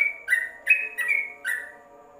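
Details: Caged yellow-vented bulbul in a covered cage gives a short burst of three or four warbled, slurred notes as tutor song, then fades, with a faint low droning hum behind.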